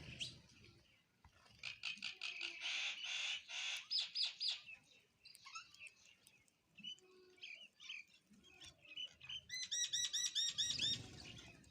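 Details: Sparrows at their food, chirping busily: dense runs of rapid, high twittering notes, then scattered calls, and finally a quick series of repeated ringing chirps as they eat.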